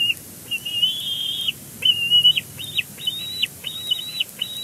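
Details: Bald eagle calling at its nest at Big Bear Lake, live nest camera, 12 May 2022, during the arranging of fluff: a clear series of high, piping whistled notes, some drawn out and level, others short and repeated roughly every half second.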